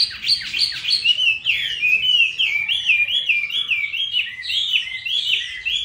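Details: Chinese hwamei in Hanoi with a fine voice delivers a continuous rich song: a quick burst of sharp notes, then a long run of wavering, rolling whistles rising and falling without pause.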